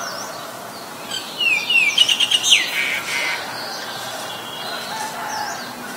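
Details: Oriental magpie-robin, a very common resident, singing at Ubon Ratchathani, Thailand, on 17 July 2022, recorded with a Nikon P1000. A quick run of bright whistled notes, sliding and then rapidly repeated, lasts about a second and a half over steady background noise.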